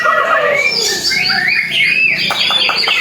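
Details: Competition-stage white-rumped shama, freshly moulted and performing for the first time: fast tumbling phrases of bright rising and falling whistles, ending in a quick burst of sharp clicking notes.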